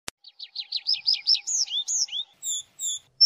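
A tree pipit sings a fast run of high, rising chirps that speed into slurred notes, then ends with a few drawn-out, thin seee notes.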